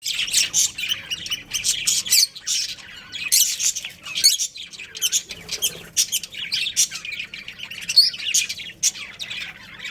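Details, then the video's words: Budgerigars of a breeding pair kept as pets, giving dense, rapid high chirps and scratchy warbles in overlapping bursts, with brief pauses near two and four seconds. "Adorable Budgies Chirping Sounds"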